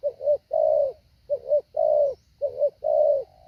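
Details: Spotted dove kept as a training decoy to lure wild doves, calling in a well-ordered pattern: three phrases of two quick low coos and one longer held coo, about one per second.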